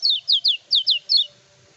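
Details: Energetic kecial kuning, undoped, singing as a lure for rival-bird training. Six loud, high whistles fall steeply, paired in quick doublets, followed by a faint low hum.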